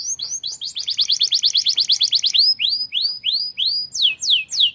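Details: Canary singing actively as a training tutor: a rapid series of short descending notes, then slower, looping arched whistles and long downward sweeps.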